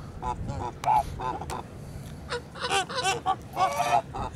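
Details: Blue female Kholmogory goose at a farm, with other geese honking: repeated nasal, reedy honks at irregular intervals over steady farmyard background noise.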